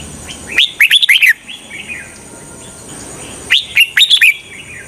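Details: Red-whiskered bulbul used as a trapping lure for wild birds sings two brisk phrases about three seconds apart, each a rapid string of clear, slurred whistles, with a soft note between and a faint high background whine.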